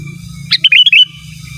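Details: Sooty-headed bulbul singing lustily to call rivals: a sharp opening note then a rippling series of five short whistled notes stepping up and down, over a continuous low hum.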